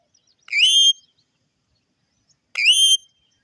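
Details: Two bright, upward-sweeping whistles from an Indian ringneck parrot, spaced about two seconds apart, each swooping up then steady for half a second, ringing with strong overtones against a quiet background.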